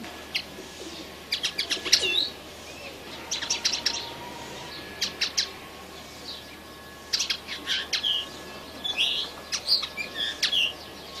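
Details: Young red siskin singing excitedly: bursts of high, thin twittering and sharp chirps, several phrases of one to two seconds separated by short pauses, with a faint steady hum underneath.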